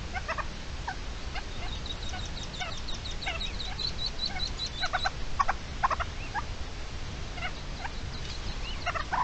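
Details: Red-legged partridge calling while defending its chicks, 29 May 2023: a long, uneven run of short, gruff chattering notes, joined by a stretch of high, thin, closely spaced squeaks, over constant low background rumble.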